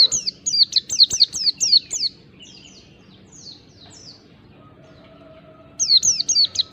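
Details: Mountain white-eye lure song in quick succession: a run of high slurred chirps, softer faint notes during a lull, then another sharp burst; a low faint tone sounds in the gap.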